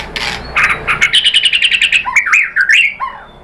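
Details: A white-rumped shama sings a lure song meant to rouse other shamas to answer: harsh chattering notes give way to a fast rattling trill, then varied looping whistles and slurred chirps.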